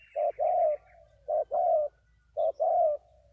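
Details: Spotted dove in Vietnam cooing: a short clipped note followed by a longer, slightly falling coo, the two-part phrase repeated about once a second, clean and close with little background.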